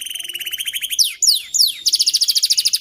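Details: Canary singing as a training model for young birds to learn long rolling song: rapid buzzy trill, then three long descending sweeping whistles, followed by a bright fast rolling trill.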